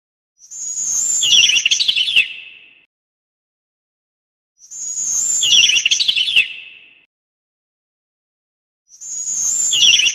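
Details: A sparrow repeats its call three times roughly every four seconds: a piercing high whistle leading into a quick, jumbled chattering twitter, with silence between.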